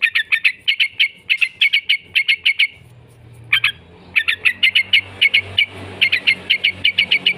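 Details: Lure recording of a yellow-vented bulbul's 'ngekek' chatter: clusters of fast, clipped, bright notes, a gap of about a second, then renewed bursts of rapid repeated notes over a low hum.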